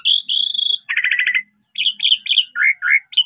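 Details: Steady chattering song of an Asian pied starling, played so untrained starlings reply: buzzy high notes, a pulsed rattling trill, then scratchy squeaks and low falling slurs.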